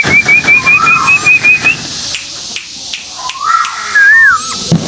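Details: Lure call of a white-billed tuwu bird from Malaysia: roughly eight fast wavy whistled notes in a steady series, with lower whistles from other birds running beneath and afterwards.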